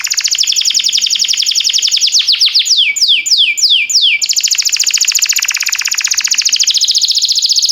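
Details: Canary song used for training canaries: fast buzzy trills at high pitch, then a run of sweeping downward whistled notes, then a long dense rolling trill, repeated many times a second.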